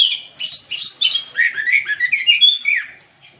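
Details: Morning song of an orange-headed thrush, which sets other thrushes singing: a continuous rapid warble of varied clear whistles, sliding up and down and gradually falling in pitch.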